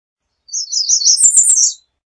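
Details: An American redstart delivers a single song phrase: several evenly spaced high, sweet notes, then a slightly higher, faster run at the end.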